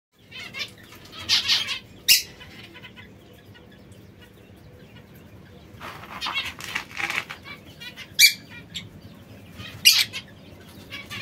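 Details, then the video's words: Young white zebra finches, kept as pets, giving short bursts of nasal, buzzy calls around two seconds in and again between six and ten seconds, with quiet gaps between the bursts. "Piccoli Diamantini mandarino bianco"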